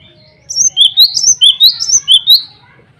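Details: Singing male cinereous tit challenging rivals and calling a female, a string of sharp, high, down-slurred whistles repeated about three times a second for two seconds, with a low background hum.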